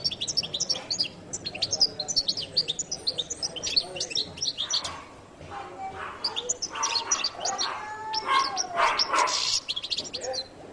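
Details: Latin American jilguero singing: rapid, high, twittering phrases of sharp chirps and trills. Louder broad bursts of other sound break in during the second half.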